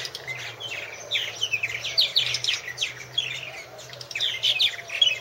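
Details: Purple martins chattering at one of three nest houses, recorded in 2014 by a nest camera: scattered liquid chirps and twittering phrases building in loudness, with a low steady hum beneath.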